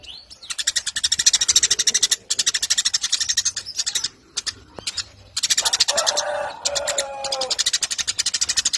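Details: Eurasian tree sparrow in full voice, a long chattering stretch: dense runs of rapid, harsh high chirps repeated many times a second, broken by short pauses, with a brief lower tonal note near the end.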